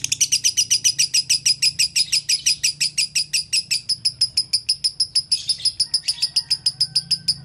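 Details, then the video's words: Konslet-style lovebird song for tutoring other lovebirds: a long series of sharp, high twittering chirps, roughly three each second, steady and relentless, over a faint low hum. "LOVE BIRD GACOR ( KONSLET )"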